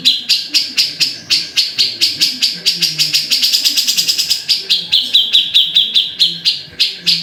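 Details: Grey-cheeked bulbul producing spaced high, scratchy notes that quicken into a fast rattling run and then slow back to evenly spaced harsh chips.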